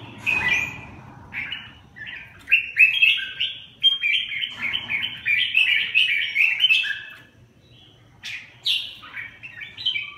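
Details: Bạch hồng cước, a red-whiskered bulbul, delivering a long run of fast, jumbled warbles and chirps, several notes per second, pausing briefly then resuming with higher whistled slurs.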